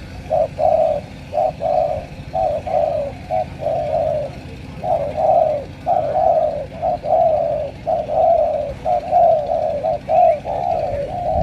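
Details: Spotted dove from Cà Mau, Vietnam, giving a steady run of mellow, low cooing notes in short clustered phrases, roughly one phrase per second, with a faint low hum beneath.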